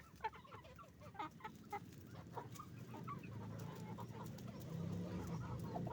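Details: Chicken farm flock of roosters and hens making noise: scattered short clucks and squawks early on, fading under a rising low rumble of machinery or wind.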